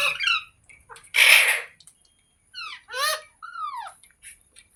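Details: Parrot talking sounds: quick harmonic chatter, one loud harsh squawk, then a series of descending arched notes and a smooth falling whistle-like call, with short pauses between.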